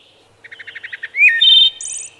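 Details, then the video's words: One wood thrush phrase. Soft pulsed low notes come first, then an upward-sweeping whistle and a loud fluted middle part, then a high rapid trill at the end. A faint steady hum sits underneath. "Wood Thrush Bird Singing"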